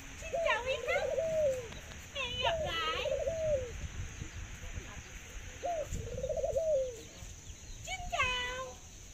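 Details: A kept Thai dove, noted for its laughing voice and very long cooing, gives four rolling, bubbling coo phrases, each with a quick chuckling start, repeated about every two to three seconds; a man speaks faintly in the background.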